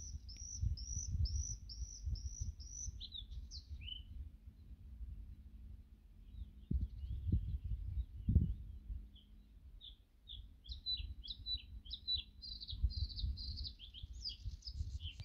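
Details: Birdsong at sunset in Topilec Kolonia: a songbird sings high, quick phrases, starting with a run of repeated chirping notes, over a low wind-like rumble.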